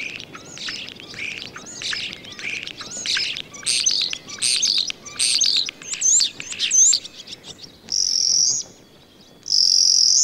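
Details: In spring, at a farm in the Allgäu, a male common starling that has already built its nest sings in courtship on a sunny day: a rambling, varied stream of chatters, clicks and slurred whistles, ending in two long, high, buzzy whistled notes.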